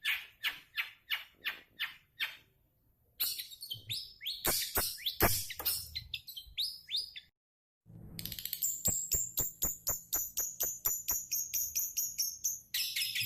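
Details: Long-tailed shrike in full song: harsh rasping notes in a steady series, a brief pause, varied scratchy chatter, then rapid ticks under a tinkling, bell-like high whistle.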